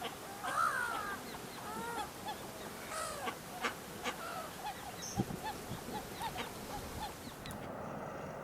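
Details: Mother duck with her well-grown ducklings on the River Thames in West London on an autumn evening: short, nasal, honking calls repeated every half second or so at mid pitch over steady background hiss.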